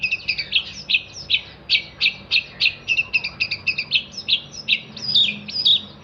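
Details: Long-tailed shrike song for songbird training: crisp, loud chirps repeated steadily about three times a second, evenly spaced, ending in a few twisting whistled notes.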